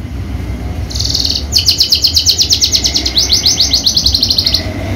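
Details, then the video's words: Javanica Horsfield's bushlark kept for song competitions delivering a rapid run of repeated sharp buzzy notes, steady and rhythmic for about three seconds after a brief opening note, over a low background hum. "KICAU MERDU BRANJANGAN JAVA"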